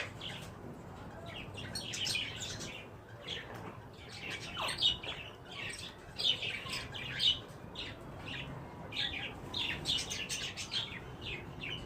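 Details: Green ringneck parakeets during mating give a busy run of short, harsh chattering squawks and chirps, irregularly spaced, with a few louder screeches standing out. Several birds seem to call at once.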